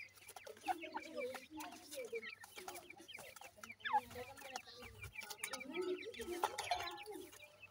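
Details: Francolin chicks, described as black francolin chicks, being fed and trained in captivity; many soft overlapping cheeping and chirping calls with short clucking notes throughout, steady background hum.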